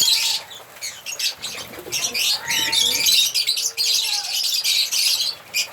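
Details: Several African lovebirds singing and chirping in a steady, shrill chatter of high squeaks, run together almost continuously with short dips, plus a few faint lower whistled notes.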